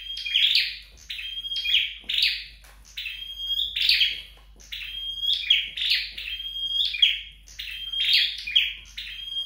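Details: Long run of flowerpecker song during home training: about nine high phrases, each a thin whistled note joined to a bright buzzy burst, delivered steadily with short silences between.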